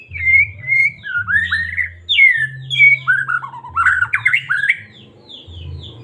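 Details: Medan white-rumped shama pouring out continuous song meant to rouse caged shamas: clear high whistles, downward slurs and rapid jumbled rising notes, with a steady low hum underneath.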